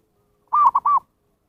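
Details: Zebra dove used to call in wild birds: one soft three-note coo, steady, brief and mid-pitched, the final note gently dropping, with nothing else heard.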